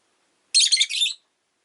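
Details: A rosy-faced lovebird gives one rasping, buzzy chirp of about half a second during a calm afternoon, with nothing else heard around it.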